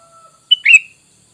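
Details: Sooty-headed bulbul call used for luring wild bulbuls into answering: one bright, clipped note followed by a louder slurred chirp, with a faint steady tone just before it.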